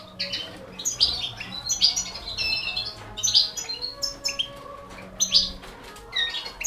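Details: Four baby canaries being fed by a European goldfinch of the balcanica subspecies; bright high chirps arrive in irregular clusters about once a second, with quieter twitters between.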